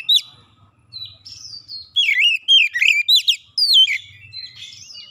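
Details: Oriental magpie-robin, provoked and agitated, bursting into an aggressive challenge and pouring out its varied song repertoire: loud, sweeping whistles and sharp downslurred notes in rapid, uneven bursts.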